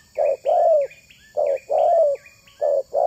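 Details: Spotted dove used to lure other doves: deep soft coos, a short note then a longer gently falling one, with faint higher chirps from another bird in the background.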